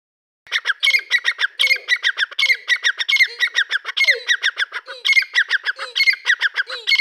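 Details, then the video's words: Dakkni partridge calling, with young Irani partridges mentioned: a loud, harsh, rhythmic series of squawky notes that starts abruptly and repeats rapidly without pause. Fainter, lower sliding notes are scattered beneath it. "Dakkni Teetar ki Awaz"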